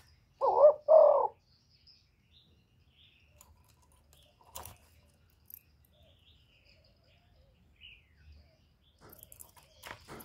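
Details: Lure recording of a spotted dove from Cà Mau, Vietnam: a single paired coo near the start, two deep hollow notes in quick succession, followed by long quiet with faint clicks and taps.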